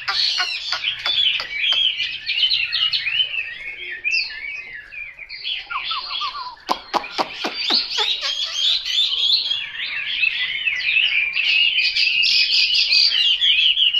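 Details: Chinese hwamei in full song: opening sharp chips lead into varied whistled phrases and a short descending trill. A burst of sharp clicks follows, then long bright, melodious warbling.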